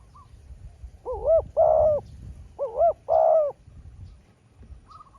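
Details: Spotted dove in a drawn-out calling match with a wild rival dove, giving two quick phrases of a looping note then a long rolling coo, with faint answering coos at the edges.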